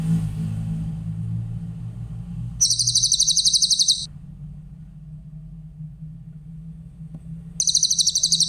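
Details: Songbird-training recording of a Grey-headed canary-flycatcher: a quick high trill of even, rapid notes, a pause of several seconds with a steady low hum, then the trill starts again.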